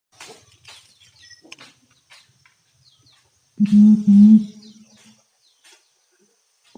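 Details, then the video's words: Imperial pigeon calling in the forest of Mount Rinjani, Lombok, Indonesia: after faint scattered ticks, a loud, deep, hollow double note swells and fades over about a second and a half. "SUARA BURUNG PERGAM DI HUTAN GUNUNG RINJANI (DAWE KEDUIT)"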